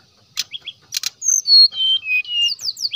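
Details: Brown-chested jungle flycatcher song used as a lure to provoke rival birds: a pair of high buzzy bursts, then a run of clear, sliding whistled notes, some falling, ending in quick rising and falling slurred whistles.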